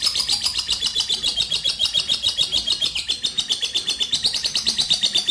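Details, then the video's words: Champion lovebird giving a long ngekek, a lure for other birds: a continuous, rapid, high-pitched chattering trill of sharp pulsed notes, about four per second, sustained without pause across the whole stretch. "LOVE BIRD juara ngekek panjang untuk burung anda"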